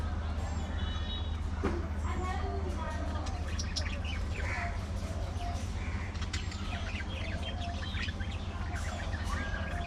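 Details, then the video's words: Budgerigars in a social colony, playing and socializing: a dense, overlapping chatter of short chirps and warbles from many birds, with a steady low hum underneath. "Budgie Parrot Colony! A Colorful & Chirpy Paradise!"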